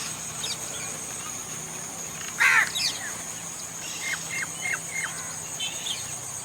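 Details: Common myna in India giving one loud, harsh, grating squawk, followed by softer, short chattering notes and chirps, with a continuous high-pitched insect hum in the background.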